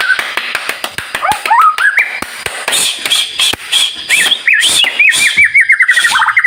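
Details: White-rumped shama in energetic, prolific song used as a lure to prompt other shamas to answer: varied clear whistles rising and falling, fast warbled runs, mixed with sharp repeated clicks throughout.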